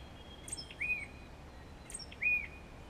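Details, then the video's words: Tufted Titmouse giving two short calls about a second and a half apart, each a thin high note followed by a brief slurred whistle, over steady background hiss. "Tufted Titmouse call"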